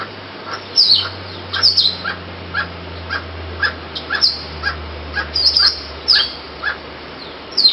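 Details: Barbet in the forest giving a regular string of hollow, knocking notes roughly every half second. Shrill squeaky calls from other fruit-eating birds overlay it, with a faint low hum underneath.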